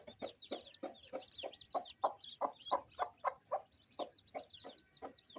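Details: Broody hen with her hatching chicks: steady low clucks about three per second, overlaid by a constant chorus of thin, high peeping from the chicks.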